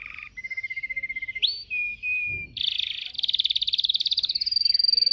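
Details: Caged yellow canary in training, filmed on a phone, singing loud: sustained whistled notes, a rising slide, then long fast buzzy trills of rapidly repeated high notes.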